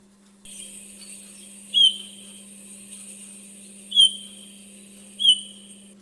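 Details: Eurasian bullfinch, a winter visitor from the north, giving three soft, short, slightly falling piping whistles about two seconds apart in winter, over a steady high hiss and a low hum.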